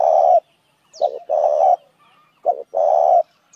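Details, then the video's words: A spotted dove coos to attract other doves, giving a brief throaty note then a long rough coo, twice in a row with short gaps, loud and close. "tiếng chim cu gáy kích mồi"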